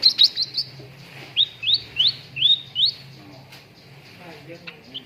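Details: Lure recording of a cucak ranting bulbul for training contest birds to sing: a few quick chirps, then a series of about six rising whistled notes, each rising sharply, before it trails into quiet.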